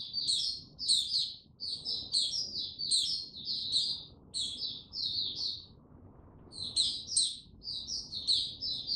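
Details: White-eye, a male called mata puteh, building confidence before breaking into its Tsunami song, dated 06032022: quick high-pitched chirping phrases in close-packed runs, a short gap mid-way, then more twittering.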